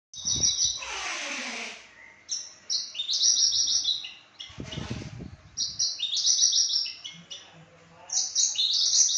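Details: Australasian bushlark of the Papuan variety singing: bright, high, rapid chirping phrases made of quick buzzy notes in bursts about every one to two seconds. Two broad, rough rustling noises break in between phrases.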